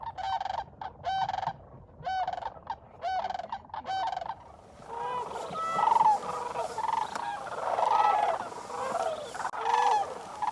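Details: Sandhill cranes calling close to shore at sunrise on a cold morning (about 19°F) in December 2021 at Bosque del Apache National Wildlife Refuge, New Mexico: rolling, trumpeting calls, first in separate bursts about once a second, then a dense overlapping flock chorus.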